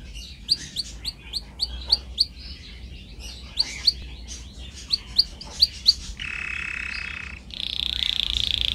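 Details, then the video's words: Domestic canary singing on a training recording: a string of short, sharp, high chips roughly every half second, then two sustained buzzy rolls, the second pitched higher and rougher. "Canary singing"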